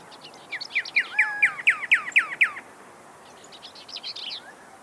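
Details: Pyrrhuloxia giving a steady series of about nine falling whistled notes, with a soft low whistle overlapping midway and a quieter high twittering phrase near the end.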